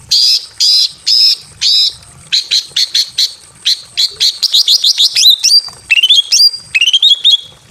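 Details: Female greater green leafbird in breeding condition calls a male from a simple aviary: four rasping notes, then a fast accelerating series of sharp chirps, ending in bent whistled slurs.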